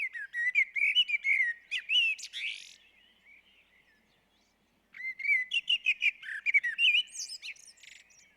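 Common blackbird singing two rich, fluty warbled phrases, each ending in higher squeaky twitters, with a pause of about two seconds between them.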